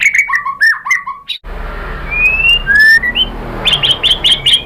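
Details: White-rumped shama singing as a lure track: a run of quick downslurred whistled notes, an abrupt break, then two long clear rising whistles and a string of short high chips over a background hiss.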